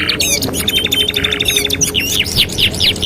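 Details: Canary song used as a 2-in-1 master track for training canaries: fast rattling trills and rising whistled sweeps, broken by short buzzy bursts, over a steady low hum.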